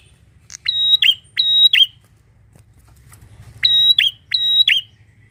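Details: Two pairs of piercing whistled notes from a bar-winged prinia, separated by a silent gap of about 1.5 seconds. Each note holds steady, then snaps down at the end, over a soft low background hum.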